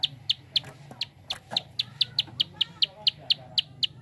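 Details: Clicking call of a prinia, used to stimulate other birds to sing: evenly spaced sharp, high, dry ticks about four per second, with low muffled background noise.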